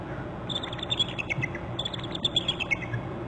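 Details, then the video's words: Pair of bald eagles alerting at their nest territory on Hornby Island on January 19, captured by a nest camera: two bursts of rapid, high, thin chittering notes with a steady low background hum. "848 both are alerting"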